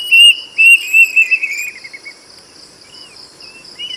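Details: Plaintive cuckoo song: a run of loud, clear whistled notes that step downward in pitch over about two seconds, then fade to faint, scattered whistles. A steady high insect drone continues underneath.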